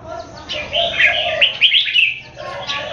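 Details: Brief burst from a red-whiskered bulbul singing contest in Singapore between caged keke birds. A quick run of loud chirpy slurred notes sits over a softer lower tone and faint background noise.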